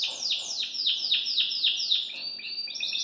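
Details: Belgian canary singing in a cage. A quick series of bright, downward-sweeping whistled notes, about four per second, then shifts into a faster, higher chattering trill.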